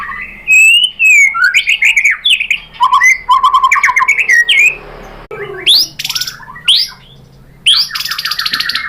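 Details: White-rumped shama lure song meant to provoke another shama into singing; loud varied phrases of rich whistles, rising sweeps and rapid repeated notes, with brief pauses and sharp high bursts.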